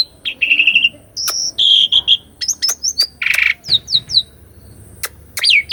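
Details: Asian pied starling singing in a cage to prompt a stuck bird: a trilled phrase, a steady whistled note, a harsh rasping burst, then short sharp whistles and a final buzzy note, faint hum beneath.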